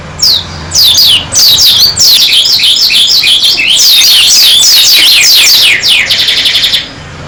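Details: Oriental white-eye of the dakun variety singing energetically in gacor style, beak open: bursts of shrill, rapid, descending whistled notes, fast twittering runs and a final buzzy trill, with short gaps between phrases.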